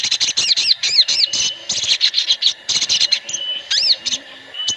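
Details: A crowd of sooty-headed bulbuls chattering together as a lure to make birds start singing quickly. Bouncy arched notes come in rapid clusters, with short gaps. A thin steady tone runs underneath.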